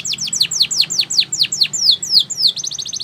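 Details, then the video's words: Canary, Spanish Timbrado style, singing a training song meant to teach canaries to sing: rapid run of downward-sweeping whistled notes, about three or four per second, ending in a quicker series of short rising chips. "Your Canary Will Sing A Lot With This Voice"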